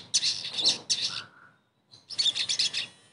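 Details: Sogon singing as a therapy lure for a bird that has stopped singing: two loud bursts of high, scratchy chatter with a soft lower whistle between them, then another rapid, buzzy phrase.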